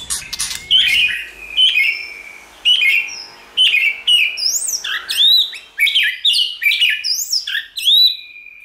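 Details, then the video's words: White-rumped shama singing in many voices to stimulate other shamas: clear whistled phrases, some sliding up and some sliding down, with sharp high flourishes. The phrases come in separated bursts about once a second. "Kích Chòe lửa hót nhiều giọng"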